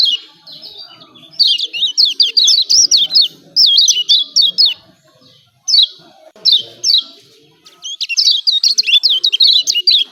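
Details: Lombok yellow white-eye (kecial kuning) in an energetic ciak ciak calling bout meant to trigger silent birds to sing: rapid strings of sharp, zigzagging high chirps in dense bursts separated by short pauses.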